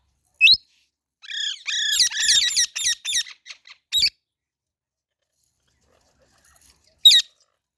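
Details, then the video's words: Baby parrot lets out a rapid burst of about a dozen high, squeaky chirps packed into two seconds, with single sharp chirps before and after. "Baby Parrot Natural Sounds | Parrot Chirping Sounds"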